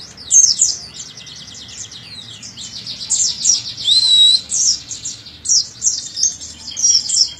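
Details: High-pitched Oriental white-eye (pleci dakun) chatter used as training audio so young birds start singing: dense runs of sharp twittered notes with a clear, slurred whistle near the middle, continuing in quick pulses to the end.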